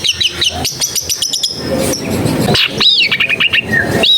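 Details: Long-tailed shrike recorded at a home in a crowded neighbourhood, used to coax a reluctant bird into singing: rapid scratchy chattering notes, then a hissing noisy stretch, followed by looping whistled slurs and a falling whistle.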